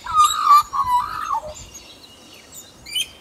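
Australian magpie giving rich, flute-like warbling phrases that slide and waver around mid pitch, fading into softer, scratchier notes and a brief high squeak at the end.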